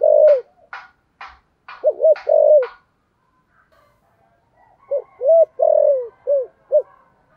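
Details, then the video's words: Spotted dove cooing in the 'giọng thổ sấm' voice, 'thúc gù' style: sharp clicking taps at first, then low, hollow, rounded coo notes in bursts, ending with a five-note phrase with a long drawn middle note. "cu gáy giọng thổ sấm thúc gù quá hay"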